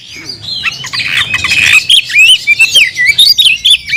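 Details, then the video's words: Caged oriental magpie-robin singing to provoke a rival to fight: a rising mass of harsh scratchy sound, then a lively string of varied whistled and warbled notes. "kicau burung Kacer gacor memanggil lawan tarung"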